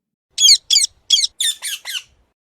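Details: Six rapid, grating parrot squawks, high and raspy, spaced about a third of a second apart and fading a little toward the end, in an otherwise quiet setting.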